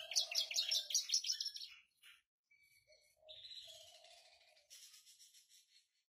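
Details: Javan bush lark, a kept collection bird perched calmly on a stone, singing in the continuous rolling 'ngerol' style: two seconds of rapid, dense high chirps in bursts, a short pause, then buzzy sustained trills and scratchy chatter.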